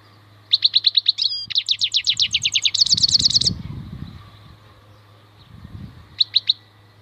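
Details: Maknine khalwi, a wild European goldfinch, sings a long, rapid run of high repeated chirps changing pace midway, then three short separate notes, over a steady low hum and some background noise.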